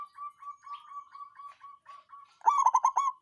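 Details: Local zebra dove, songgo ratu style, sounding as a lure to excite rivals and coax reluctant birds into song: a run of soft, evenly pitched coos, then a loud stuttering burst of rapid throbbing notes.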